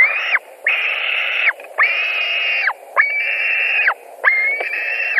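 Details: White-tailed eagles at their Latvian nest at 22:00 on 17 July 2020, around a delivered fish that one bird wins. Five evenly spaced drawn whines, roughly one per second, over a faint background hum.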